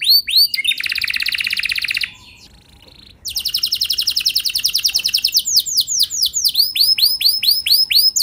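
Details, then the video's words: Canary singing as a lure recording to set other canaries off: a dense buzzy trill, a brief pause, then rapid descending sweeps slowing into looping whistled notes about four per second. "Pancingan Ampuh Buat Kenari Kondisi Apapun! Bakal Langsung Nyaut Ikut GACOR Panjang"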